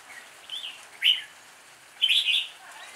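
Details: Lure red-whiskered bulbul in fighting song: a soft whistle, one sharp bright note, then a loud rolling warbled phrase, all high and clear.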